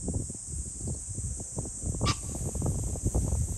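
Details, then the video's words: A single brief, harsh pheasant call midway, recorded 21 July 2024, amid dense low rumbling noise and a constant high-pitched droning background. "pheasant call ,キジ ,꿩"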